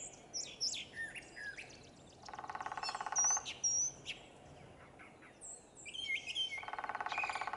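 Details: Brown thrasher morning song in spring or early summer, heard along the Blue Goose Trail near the Boardwalk Trail: a quick run of varied, sweeping whistled phrases, high and changeable, with two bursts of a steady, buzzy rattle cutting in between.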